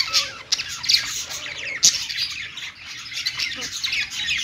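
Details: Pet budgerigars singing on a perch: a dense, scratchy twittering warble with sharp squawky accents and short whistled slurs.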